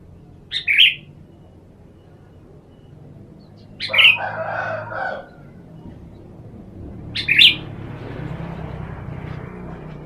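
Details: Sooty-headed bulbul sunning outdoors, used as a lure for wild birds: three short bubbly chirped phrases about three seconds apart, with rustling or wing-flapping noise after the second and third phrases.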